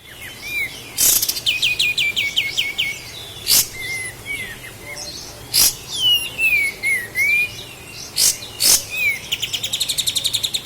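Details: Sooty-headed bulbul (kapas tembak) from Lahat, recorded as a master for training cage birds: bright chirps, rapid repeated notes descending near the top, swooping whistles and high trilled runs, with sharp loud clicks between phrases.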